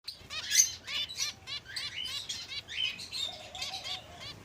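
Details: Several finches calling together, a busy overlapping chorus of short high chirps and twitters over steady low background noise.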